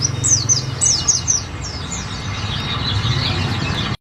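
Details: Olive-backed sunbird song used as tutoring material for white-eyes: thin, high chirps in a quick series of sharply falling notes, then a jumbled, buzzy twittering trill that runs steadily to the end, over a low steady hum.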